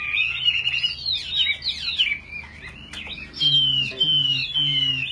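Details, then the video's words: Tame caged Chinese hwamei kept as a fighting bird, singing loudly while its cage is carried and shaken by hand: a fast, rich run of looping, slurred whistles that rises and falls without pause, over a low steady hum. "Chim thuần 200%,Sách tay lắc lồng hót hét mọi địa hình,Chim đấu tốt"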